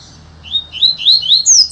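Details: Double-collared seedeater, a male, singing a quick run of high, sweet slurred whistles, each note rising and bending, rapidly repeated, while his songs per minute are counted. Double-collared seedeater.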